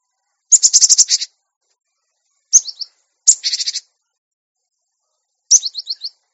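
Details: Cinereous tit on a master track for taming and training caged birds: two scratchy buzzing rattles alternating with two brief groups of high, quickly repeated chirps, in a quiet background.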